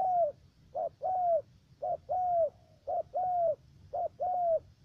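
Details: Spotted dove used as a trapping decoy in U Minh, Cà Mau, Vietnam, with a three-note voice, cooing rapidly and steadily: short clipped note plus long slurred falling note, about once per second, five times.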